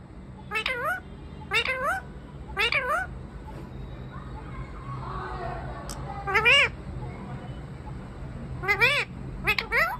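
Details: Parrot talking non-stop from its perch in a tree: three evenly spaced warbling, speech-like phrases, a softer murmur in between, then a further burst and a final rapid pair of bent, harmonic calls; low hum underneath.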